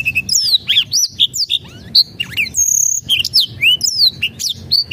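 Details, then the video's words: Lure song of a black-throated canary, played to prompt reluctant birds to sing. Quick chirps and slurred whistles tumble rapidly, with a held, buzzy high trill near the middle. A faint low drone continues underneath. "PANCINGAN BLACKTHROAT MALAS BUNYI"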